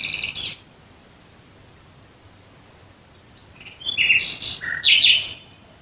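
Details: Singing nightingale near Dresden, Germany: a dense, harsh burst opens, followed by a long silence, then a fast sequence of loud, varied notes, buzzes and clicks of about two seconds.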